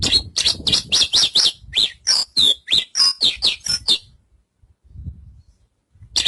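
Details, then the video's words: Javan bush lark delivering about sixteen rapid, high, raspy chirps and downslurred notes in four seconds, followed by quiet with faint low thumps and one final chirp. "Suara Burung Branjangan"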